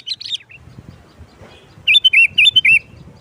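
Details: Sooty-headed bulbul in lively 'nggaruda' style song, used as a lure for trapping bulbuls; a few high chirps, a pause, then a loud run of five bubbly, wavering whistled notes.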